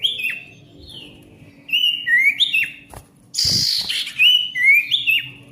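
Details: Ashy tailorbird singing noisily, meant to encourage silent tailorbirds to sing again: spaced falling whistles, then paired sliding notes, a brief rustling burst, and more bright whistled phrases.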